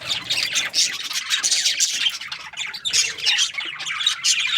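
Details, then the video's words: Budgerigar chirping happily, a dense, continuous chatter of scratchy, buzzy warbles and quick squawky notes, several birds overlapping without pause. "Happy budgie chirping sounds"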